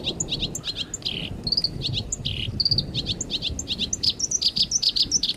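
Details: Harsh rough-style training song for caged and contest songbirds: rapid, dense high chirps and short buzzy trills follow one another almost without pause, with a brief descending whistle and faint low background rumble.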